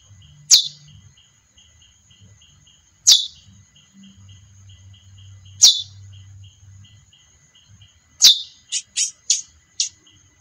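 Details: Female chestnut-bellied seed finch giving sharp, high, downward-sliding chips about every two and a half seconds, ending in a quick run of four short buzzy notes; faint steady high ticking and low hum behind.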